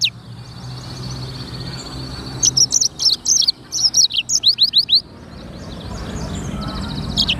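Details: Black-throated canary (sanger) in lively song. A burst of bright, high, sweeping chirps and repeated slurred notes fills the middle seconds, with quieter gaps and a low background rumble on either side.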